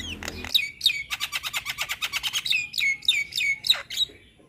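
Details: Young Javan myna, a jalak kebo, singing a busy, varied song: a rapid run of clipped chirps repeated about three times a second, then sweeping whistled notes falling from high to lower pitch.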